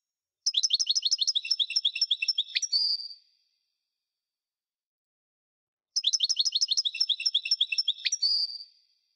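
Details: Parva goldfinch delivering the same rapid, rattling trill twice. Each trill is a tight run of high buzzy pulses lasting about two and a half seconds and finishing in a drawn-out twangy note, separated by a long silence.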